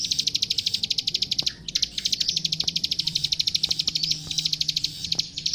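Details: Plain prinia giving a loud, energetic master song used for training young captive birds: a fast, steady run of dry, high clicking notes, broken by a few short pauses, with faint low hum beneath.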